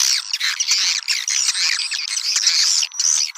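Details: Swiftlets calling to attract other swiftlets: dense, overlapping high chirps and twittering notes, with some thin whistled strands running near the top, continuous with brief gaps.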